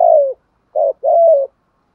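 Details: Spotted dove cooing as a lure voice used to stimulate training birds: a low, gently falling first coo, a short clipped note, then a longer, steady hollow coo, with clean silence between.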